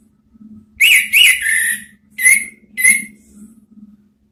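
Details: Orange-headed thrush lure song from Indonesia to coax out the ngeplong sound: two clear whistled notes run into a longer slurred one, then two separate short downslurred whistles, over a steady faint low hum.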